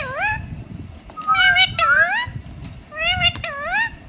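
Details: Pet parrot talking indoors: several short, harmonic-rich voiced phrases with rising and falling inflections, spaced over four seconds, mimicking a human word, with faint low room noise beneath.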